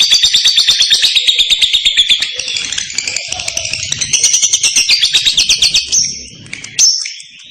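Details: Lovebird delivering its long, clear ngekek trill, used to draw answers from other lovebirds: rapid high chirping pulses for about five seconds, then trailing off into a few separate squeaky notes.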